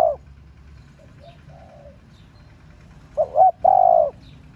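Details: Spotted dove female cooing to excite males into calling: a soft, distant-sounding coo phrase first, then a louder phrase of two brief hoots and one sustained mellow coo, with a faint low hum behind.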